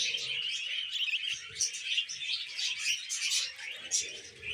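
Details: A flock of pet budgies being tamed keeps up a dense, scratchy, high chirping chatter with scattered sharp squeaks, over faint low background murmurs.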